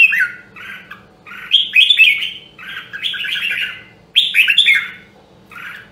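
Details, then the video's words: Red-whiskered bulbul, Nam Đông, Huế type, in voice training, giving a series of rich two- and three-note warbled phrases separated by brief gaps, the loudest bursts rising high and bright; faint hum in the background. "Luyện giọng Chào Mào Nam Đông Huế"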